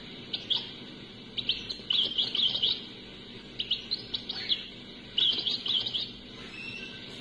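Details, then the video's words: European goldfinch song from an unedited cassette recording, Algeria: several lively phrases of quick, liquid twittering and trills, each lasting about a second, separated by short gaps over steady tape hiss. "تغريد خريشة فالكاسيطة بلا تعديل"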